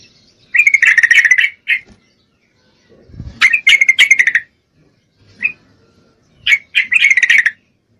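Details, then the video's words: Female Yellow-vented Bulbul in breeding condition calling a male: bursts of fast, harsh, pulsed chattering around a bright mid pitch, three main bouts with short single notes between and silent gaps. "Trucuk Betina Memangil jantan, full Birahi"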